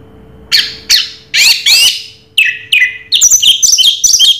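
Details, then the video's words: Orange-headed thrush (anis merah) singing in the raja teler style: loud, varied phrases, some rasping and others with clear whistled notes, rising and falling. A busy run of short whistles closes the clip, and a faint steady hum sits underneath. "Suara Burung Raja Teler Anis Merah"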